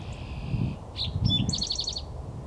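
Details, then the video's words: Eastern towhee singing at Jamaica Bay Wildlife Refuge, Queens, New York: a held high note, a couple of sharp introductory notes, then a fast buzzy trill of repeated notes, over low rumbling background noise. "Singing Eastern Towhee"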